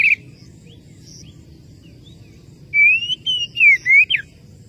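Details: Oriental magpie-robin calling a rival: a late burst of loud whistled notes swooping between about 2 and 4k, some rising, some falling, after a short chirp at the start and a long quiet gap with low background hum.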